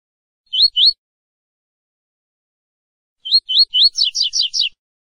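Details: A double-collared seedeater sings its 'tui-tui' (fibra) song, used for training cage birds: high, clear slurred notes, two quick ones, a pause, then three more running into a rapid buzzy trill.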